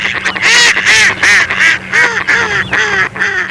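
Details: A loud mallard quacking in a regular series, one broad nasal quack about every third of a second, other ducks faintly behind and a low hum throughout.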